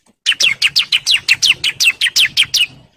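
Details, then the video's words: In breeding condition, a male bar-winged prinia calls to females with a steady series of high, slurred downward chirps, close to three per second, ending abruptly. "CIBLEK JANTAN BIRAHI GACOR NGEBREN MANGGIL BETINA KOLONI"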